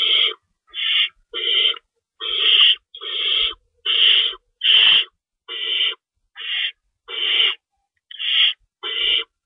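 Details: Owl nest at feeding time, 3:53 AM, March 25, 2012, two rabbits kept in the nest. Twelve rasping hiss-screeches in quick, uneven succession, some shorter, one ending in a rough downward smear.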